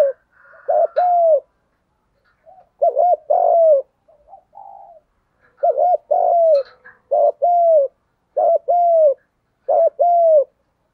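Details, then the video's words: Repeated spotted dove coos, played to train doves and prompt them to coo in reply. Each phrase is two quick arched notes and a longer falling coo, repeated about every two seconds with softer murmurs between. "Giọng chim cu gáy thúc gù bài bản, dùng để anh em mở lên luyện mồi và bổi gáy theo và kích cho gáy"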